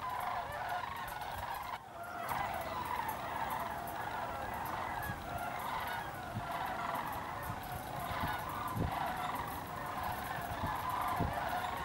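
A large flock of sandhill cranes fills the air with a constant chorus of rolling, trumpeting rattles, many birds calling over one another with a low background rumble.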